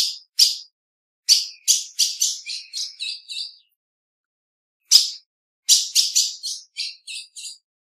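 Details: Female ultramarine grosbeak chipping insistently in two bursts, each a rapid series of about eight to ten sharp, high notes that start loud and grow quieter. A short silence separates the bursts.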